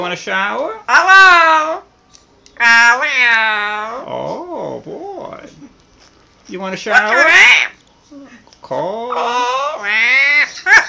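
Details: Pet Amazon parrot indoors, talking in a person-like voice: several drawn-out, rising and falling voiced phrases separated by short pauses, in a quiet room.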